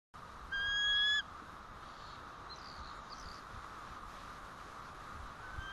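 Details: A single clear bald eagle alert call at the White Rock nest on 1 April 2012, mid-morning, as the male returns: one loud, steady, harmonic whistled note lasting under a second, followed by faint distant high notes over steady background hiss.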